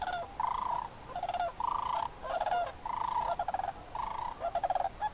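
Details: Migrating Sandhill cranes in October at Crex Meadows State Wildlife Area, Northwest Wisconsin wetland, evening or early morning; loud rolling, rattling bugles given in bursts of about half a second, repeated five or six times, over a faint background chorus.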